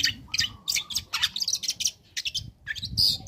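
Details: Young long-tailed shrike practising song to lure other shrikes into singing: rapid, harsh, buzzy chattering notes in dense bursts with a faint low hum beneath.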